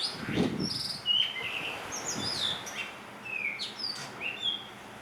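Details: Blue rock thrush in full song on Hahajima, Ogasawara Islands, Japan. It gives a run of bright whistled phrases with sliding, warbling notes in quick succession. A low thump is heard near the start, over faint background hiss.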